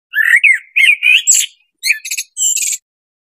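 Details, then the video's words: Blackbird delivering a warbling run of mellow, slurred whistles, then a short pause and a burst of strained, squeaky high notes ending the phrase; no background noise. "SUARA BURUNG BLACKBIRD"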